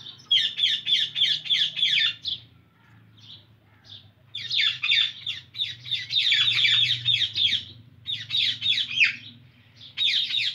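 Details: Long runs of fast, harsh screeches from an Indian ringneck parrot, several notes per second, broken by brief quiet gaps, with a faint low hum in the room.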